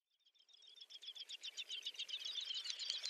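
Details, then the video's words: Great snipe lekking in Ryazan oblast, Russia, in April 2019: a fast, bubbling stream of high twittering and clicking notes that grows steadily louder, about four pulses a second, with no other sounds heard. "Дупелиный ток Gallinago media / Lekking of Great Snipe"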